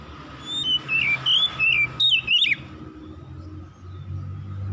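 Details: Dusk song of an Oriental magpie-robin: a run of short bright whistles rising and falling, ending in a twisting, downward-sliding phrase, then quiet with only a low background rumble and faint steady tone.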